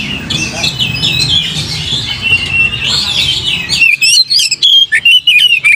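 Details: Oriental magpie-robin song played to provoke another bird into singing. Scratchy, crowded warbling opens the clip, then gives way to a run of sharp, loud whistles that rise and fall quickly, each cut off by brief silences.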